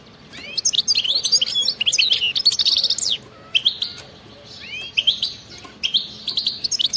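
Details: European goldfinch singing a wild-type song with the twittering 'batbata' style, played to prompt silent goldfinches to sing: fast, tinkling high twitters and buzzy trills in rapid bursts, with short gaps between phrases.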